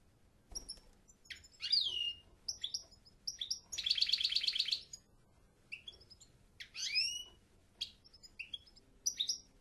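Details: European goldfinch singing: bursts of high tinkling twitters and downward-sweeping notes, with a dense buzzy trill near four seconds and scattered liquid chirps after, separated by short pauses.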